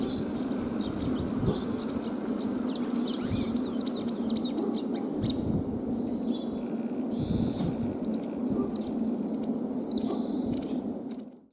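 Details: White wagtail singing as it walks beside a puddle while swallows gather nest material nearby; quick runs of sharp, high twittering chirps through the first eight seconds over a steady low background rumble.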